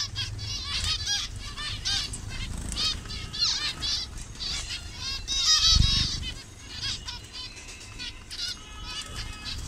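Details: Overlapping nasal beeps and buzzy chatter from numerous caged zebra finches of different colour variations in Bangladesh, with occasional low thumps and background rumble.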